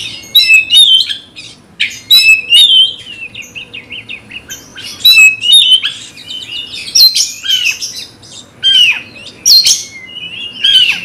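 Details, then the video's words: A caged kacer, the Oriental magpie-robin, is provoked into a fighting rage and sings repeated loud phrases of bright whistles and scratchy notes, separated by short pauses. "nembak lawan tarung KACER BRUTALISME semua dibikin kaget‼️SEKETIKA NGAMUK BERAPI API PANAS MEMBARA⁉️"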